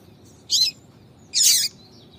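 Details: Female yellow-bellied seedeater calling to attract males: two short high chirps, the second longer and buzzier, about a second apart over a low steady hum.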